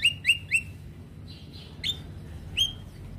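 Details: Javan myna heard stressed after another Javan myna calls: three loud upslurred whistles in quick succession, a softer buzzy pair, then two more sharp rising whistles over faint background hum.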